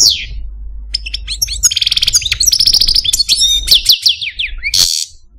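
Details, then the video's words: Pet Algerian parva goldfinch, male, kept caged, giving a brisk mix of rattling buzzes, tinkling chirps and a run of repeated downslurred whistles, closing with a harsh burst. "Algerian Parva goldfinch, Chardonneret, Cardelino, Jilguero Stieglitz, Stillits"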